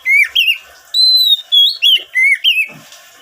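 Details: Singing oriental magpie-robin meant as a lure for newly wild-caught birds: a few curved whistled notes, then a long level whistle, followed by quick slurred phrases and a soft rustle at the end.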